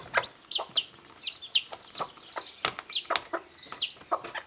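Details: Mother hen calling her newly hatched chicks to food instead of eating it herself, breaking it up for them. Busy high cheeping from the chicks dominates, mixed with short soft clucks and scratchy taps, near-continuous throughout.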